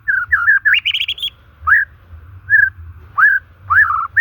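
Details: White-rumped shama song offered to stimulate shamas that have stopped singing or are stressed: clear whistled notes in varied pitch, a rising run of quick trills, then separate slurred upward whistles spaced about half a second apart over a low hum.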